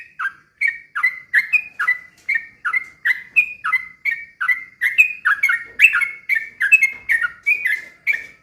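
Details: Sooty-headed bulbul in continuous slow rapid-fire song meant to make other bulbuls sing agitatedly: evenly spaced, bouncy two-note whistled phrases, around two per second, steady and clear against a quiet background.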